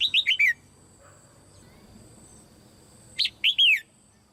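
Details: Female Red-whiskered bulbul singing in a cage to spur other birds into strong song: a quick run of four clear down-slurred whistles, a pause, then three more whistled notes, with a faint steady tone behind.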